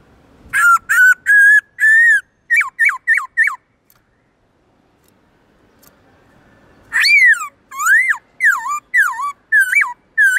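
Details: Black-throated laughingthrush singing long, loud forest-voice tones: a quick run of short level and hooked whistles, a pause of a few seconds, then rich rising-and-falling whistled phrases repeated about twice a second.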